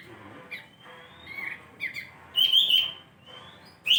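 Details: Bulbul in full song: clear whistled phrases, some slurred and some sliding, rising to a louder sustained whistle near the end, with short gaps between the phrases.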